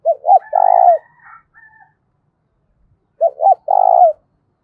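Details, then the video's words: Two loud 'thúc bổi' fighting coos from a spotted dove about three seconds apart, each a pair of clipped notes plus a long trailing coo; a fainter, higher chattering call follows the first phrase. "Tiếng chim cu gáy thúc bổi rất to và vang/ cu gáy thúc đấu"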